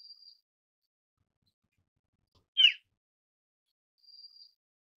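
Asian brown flycatcher: a faint, thin high whistle at the start and end, with one louder, sharp, scratchy note in between. Otherwise quiet.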